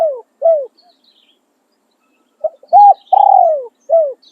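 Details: Spotted dove, a decoy bird, singing in the khan riak and khan yon styles: two falling end notes close a phrase, silence follows, then a new phrase of short hoots, a long, purring, downward-sliding coo and a final short falling note.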